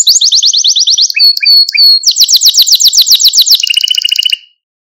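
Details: Male Maltese canary singing: fast rolling trills of high, repeated notes, broken by a few short separate whistles, then a faster buzzy trill that stops abruptly. No other sounds.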